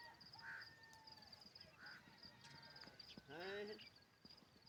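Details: Parrot giving short harsh squawks near 0.5 and 1.9 seconds, then a longer rasping, strongly layered call around 3.5 seconds. A steady high insect-like whine runs throughout over low background noise.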